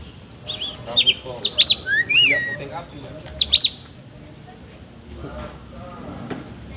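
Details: Oriental magpie-robin giving rough ngobra fill-in phrases: sharp upswept and downswept whistles in the first half-clip, followed by a quieter stretch with faint low background sounds.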